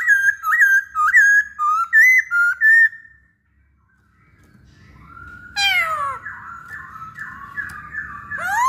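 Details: Masked laughingthrush singing as a lure for other birds: a series of loud, clear, wavering whistles, a brief silence, then a sweeping downward note leading into softer rolling whistled phrases.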